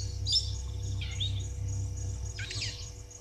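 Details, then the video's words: Brown-headed parrots at Gowrie dam waterhole, Djuma Game Reserve, Sabi Sand Wildtuin, South Africa, on a live camera at 16:54 on 26 June 2023: three shrill, high screeches that sweep downward, over steady pulsing insects and a low rumble. "Djuma: Brown-headed Parrots"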